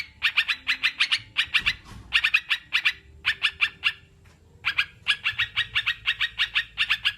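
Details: Sooty-headed bulbul giving groups of fast harsh notes separated by short breaks, with a longer quiet spell around four seconds; recorded to prompt reluctant captive birds to sing.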